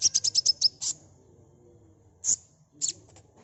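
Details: Sunbird lure sound: a rapid run of seven high, ringing chirps, then a pause and scattered single sharp chirps with short tails.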